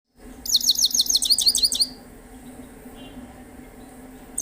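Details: Himalayan goldfinch singing: a fast, bright twittering phrase of about a dozen high, liquid notes in roughly one and a half seconds, then quiet with a low steady hum beneath.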